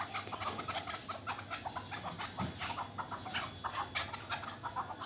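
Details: Local chukar partridge, a young bird from last year, giving a busy run of short, hoarse chuck notes, repeated several times a second, over a steady background hiss.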